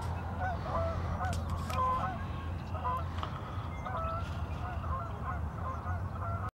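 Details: Somewhat distant geese at Warner Park Lagoon in Madison, Wisconsin, USA, repeating short nasal honks about once a second under a loud low drone.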